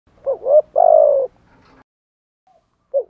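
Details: Spotted dove lure cooing meant to provoke wild males: two short low hooting notes, then a longer steady coo, a pause, and the start of another soft coo, all on a quiet background.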